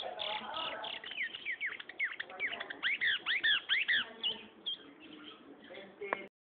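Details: Young Gray seedeater singing a loud, rapid series of slurred, looping whistled notes, about seven in a second, peaking mid-clip. Softer warbles follow, with faint background noise at the start.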